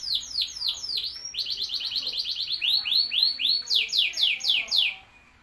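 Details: Canary in full, lively song: rapid series of descending whistled sweeps, repeated several times a second in changing phrases, loud and clear, ending abruptly.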